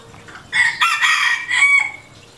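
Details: Loud crow of a red junglefowl rooster: an opening note, then a strong, harsh, broken burst, then a sliding tail note fading away within about one and a half seconds, with little else heard.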